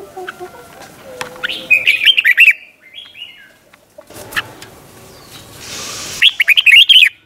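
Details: Red-whiskered bulbul song recorded for training young caged birds to copy, in a Thai doubled 'berl' singing style; two bursts of quick warbled, bubbling whistled phrases around a mid-high pitch, separated by quieter rustling and knocking sounds.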